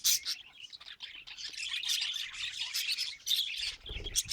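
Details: Steady high twittering chatter from pet budgerigars, rapid chirps and warbled notes running together, a low thump near the end.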